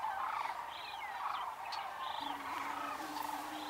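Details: About 30 male Greater Prairie-Chickens lekking at first light on a misty mid-March morning, Nebraska upland prairie, no females present, with cranes and meadowlarks humming behind: overlapping hooting and cackling notes about every second, a low moaning boom entering later.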